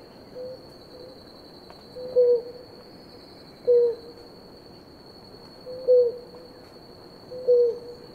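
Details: Blue ground dove pair drinking water: four short deep coos in an uneven series, gaps of one and a half to two seconds, faint notes between, high steady drone throughout.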